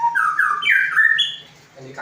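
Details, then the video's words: Magpie-robin song: a short phrase of clear, slurred whistles stepping upward, then a brief higher note and a fading tail, heard in a quiet setting. "Kicau murai"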